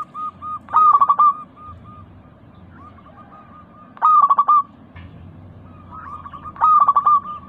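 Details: Zebra dove (local perkutut) singing as a lure to set off a caged bird. Three loud, stammered coo phrases about three seconds apart, separated by quieter strings of short, flat notes over a low hum.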